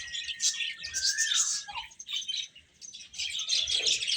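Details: Baby chickens eat with steady shrill peeping. A long level whistle drops into a short low note, there is a brief quieter spell, then the dense chirping swells again.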